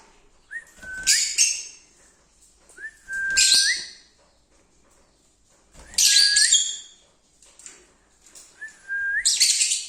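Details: Lovebirds singing: four phrases, each a short rising whistle leading into a held flat tone and then a burst of harsh, noisy chatter, spaced about every three seconds.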